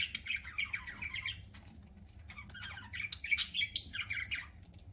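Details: Pet budgerigars chirping while eating: busy, warbled chatter of short buzzy and whistled notes that rise and fall quickly, almost continuous for most of the stretch, with a sharper squeak near the end over a faint low room hum.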